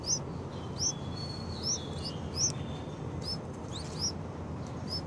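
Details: Yellow-vented bulbul chicks on day six call with piercing, high upslurred chirps, several in close succession, then scattered single notes over low steady noise.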